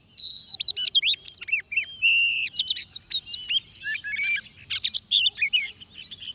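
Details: Oriental magpie-robin in song while being trapped with a decoy: a long, varied medley of piercing whistles, one sustained level note, quick rising and falling slurs and scratchy chirps, nearly continuous.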